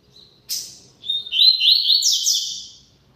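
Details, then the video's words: A double-collared seedeater gives a short high note and a sharp burst, then launches into a rapid chattering phrase of buzzy high notes that rises to a louder, brighter climax before tapering away. "COLEIRO CANTANDO MUITO"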